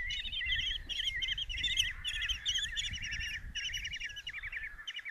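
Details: Common kestrel young, five in a Hungarian nest box at Tiszalök, fed a mouse by the mother on June 27, 2024: a steady stream of quavering, rattling chitters and trills, densely overlapping, with faint low rumble underneath.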